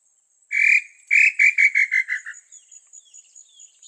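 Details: Provoked female small-billed tinamou giving her response song, a run of short whistled notes that speeds up and drops in pitch, fading into faint high insect-like chirps.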